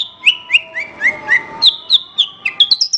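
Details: Master song of a Horsfield's bush lark for training other birds: evenly spaced, sharp chirps sliding downward in pitch, followed by a second run that climbs into fast, high twitters.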